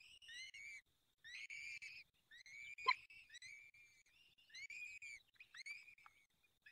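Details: Fifth feeding at a peregrine falcon nest in Poland's Barycz Valley, 23 April 2020, 19:28: strained, rasping whistled wails in quick succession, rich in overtones, interrupted by one sharp click.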